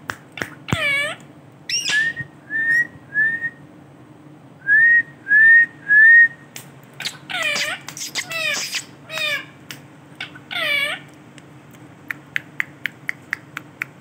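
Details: Male rose-ringed parakeet calling: short flat whistled notes repeated in a steady run, mixed with harsh, looping squawks and sharp clicks, indoors with a low hum.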